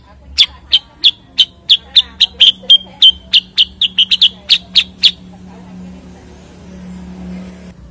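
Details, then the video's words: Cucak kurincang, the Common Iora, sings a brisk, steady string of about twenty piercing high chips at roughly four per second for five seconds, then goes quiet over a faint low hum. "kicau cucak kurincang"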